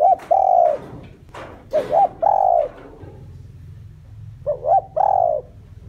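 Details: Captive spotted dove giving its lure coo to attract wild doves: drawn coos sliding down at the end, preceded by quick double notes, repeated in close succession, with scattered clicks and a faint low rumble.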